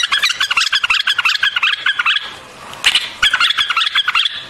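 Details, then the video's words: Song of the white-eared bulbul: rapid, evenly repeated chirping phrases for two seconds, a short gap with a brief rustle, then another fast run of bright notes. "Singing of White-Eared BULBUL, The beautiful sound of White-eared bulbul, صوت البلبل أبيض الأذنين"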